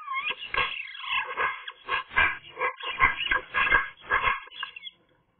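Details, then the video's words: Eurasian magpie on a sunny day sings a soft, rambling warble of varied whistled and nasal notes, run together quickly for about five seconds before falling silent. "magpie nice singing"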